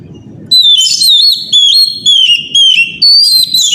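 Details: Powerful Oriental magpie-robin lure song for the morning, aimed at getting young magpie-robins and rivals to reply. Bright, sliding whistles come in clipped phrases about twice a second over a soft, regular low thudding.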